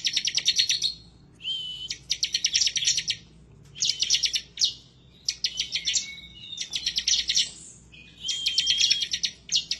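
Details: Vigorous bar-winged prinia song, delivered in bursts and said to show a rival-seeking temper. Six or seven clipped, machine-gun-like phrases of high ticking notes, some laced with a short flat whistle, repeat about every one and a half seconds.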